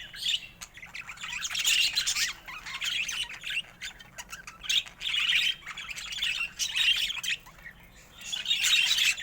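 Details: Pet budgerigars chattering in repeated bursts of high, scratchy warbles and chirps, the bursts returning every second or two.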